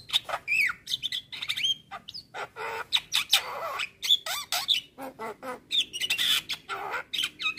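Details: Javan myna singing a varied, phrase-filled training song for other songbirds: dense harsh squawks and rasps mixed with sharp whistled notes and wavering slurred whistles, loud and nearly continuous.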